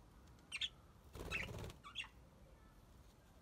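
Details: Aviary budgerigars: a budgerigar gives a few brief, scratchy chirps, with a burst of wing flapping in the middle.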